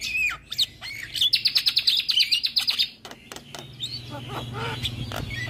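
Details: Javan myna singing continuously, a champion master bird: whistled slurred notes, then a fast rattling series of about a dozen sharp repeated notes, followed by softer scattered chirps over a low hum.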